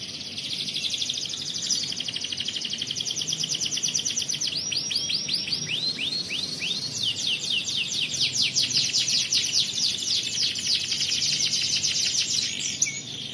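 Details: Canary in competition singing: a long, varied high song of rapid buzzy trills and chattering notes, shifting midway into fast repeated descending sweeps, continuing for over twelve seconds with little pause and a soft low background hum.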